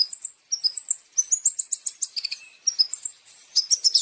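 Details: Long-tailed shrike masteran song packed with champion fill-in phrases: running series of sharp, high chirps and whistles, some buzzy clicks in the middle, delivered in quick irregular bursts.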